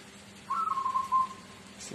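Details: A single melodious phrase from a local Tuban zebra dove in the "seruling sakti" rhythm: a quick, soft, trilled coo that wavers slightly downward for about three-quarters of a second, then a brief rustle.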